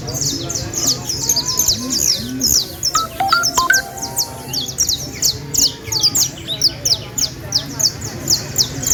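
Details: Canaries from Valledupar, part of a set of four birds called the best. Rapid high chirps and down-slurred notes continue throughout, with a brief series of electronic beep tones near the middle and a low hum.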